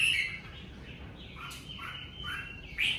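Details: Red-whiskered bulbul in the covid season delivering a brief run of slurred whistles and a rising final note.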